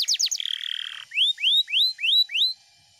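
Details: Canary song: a few quick descending notes, a short buzzy roll, then five loud rising whistled sweeps spaced about a quarter second apart.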